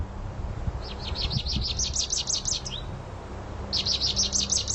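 American Goldfinch giving rapid runs of high, sweet twittering notes in two bursts, with a low rumble of background noise beneath.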